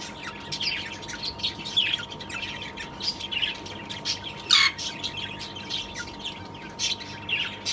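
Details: A breeding pair of two-year-old aviary rosellas give sharp, high chattering notes and squeaky whistles in loose bursts every couple of seconds, with one louder screech near the middle and a steady hum beneath.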